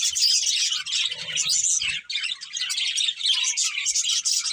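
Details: Breeding pair of budgerigars chirping in a dense, continuous warble of fast twittering notes and scratchy chatter, with a brief dip in the stream near the two-second mark and faint low thumps beneath.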